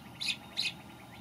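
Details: Brown thrasher, a male newly arrived from migration, singing in May; two short, bright, scratchy phrases about a third of a second apart, the second repeating the first, over faint background hiss.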